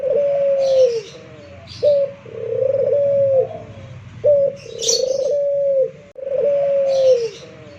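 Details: Pelung-type local Barbary dove from Indonesia, cooing readily after a single prompt: four smooth, sustained coos with short accented openings and long even tails, spaced about two seconds apart, with scattered high chirps between them.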